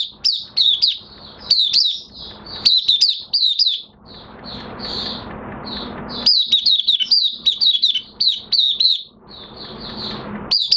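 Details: Oriental white-eye kept in a cage and in minor moult, singing openly on 3 June 2022: quick runs of thin, high twittering notes, with stretches of hissing background noise between the phrases.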